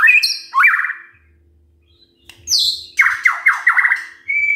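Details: Whistled morning song of a white-rumped shama used to provoke other birds: a rich phrase, a silent gap, then a high sharp note followed by a rapid run of descending slurs and a sustained whistle.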